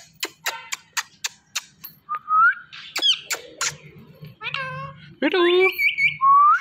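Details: Pet Indian ringneck parrot talking to a phone it watches: a run of sharp ticking clicks, then harsh harmonic speech-like squawks and rising whistled notes, with a steady low hum beneath.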